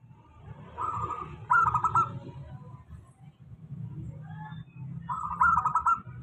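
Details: Local zebra dove giving steady song meant to prompt lazy singers: trilled, quickly stuttering coos ending in a brighter rolling phrase, repeated after a pause, over constant low rumbling background noise.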